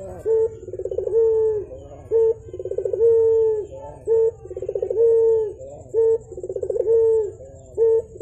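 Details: Javan turtle dove, described as actively calling, in the morning: a rapid rolling burr leads into a long steady low coo, the phrase repeated roughly every two seconds with short clipped notes between, over a faint low hum.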